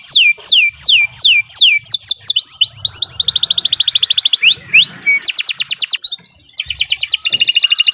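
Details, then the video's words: Canary in steady, long-running song meant for tutoring other songbirds: loud, clear whistles sweeping downward, repeated in quick series, then fast buzzy rolls and rattling trills change tempo several times. "Kicau Burung Kenari II GACOR PANJANG Cocok untuk Masteran"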